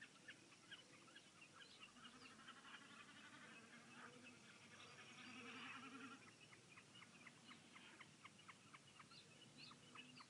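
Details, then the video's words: A Common snipe gives a rapid, rhythmic series of dry, clipped ticking notes, about four a second, over a steady rushing background hiss. "Vogelstimmen: Die Bekassine - Common snipe"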